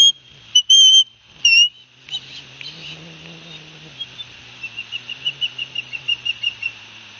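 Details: Nest-cam osprey kids at Barnegat Light, New Jersey, 9 September 2021, fed fish by their father: a few loud piercing whistles open the recording, followed by a fainter accelerating string of short chirps.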